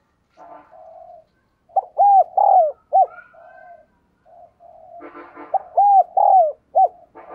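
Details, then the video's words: Spotted dove decoy cooing to excite males. Soft murmurs lead into loud bowed coo phrases that repeat twice. A short burst of broadband noise overlaps the second phrase. "Tiếng Chim Cu Gáy Kích Bổi Căng Lửa Hiệu Quả, Thúc Gù Rất Sung"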